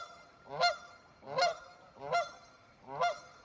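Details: Canada goose on a cold Wisconsin river, honking four times at a steady pace of about one honk every 0.8 seconds, each honk a harsh, nasal, two-part note.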